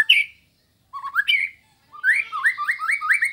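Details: White-rumped shama of the sambo type in full song, used as master material to train birds: a sharp opening note, then rising slurred whistles, then an accelerating run of repeated upward-sweeping whistled notes.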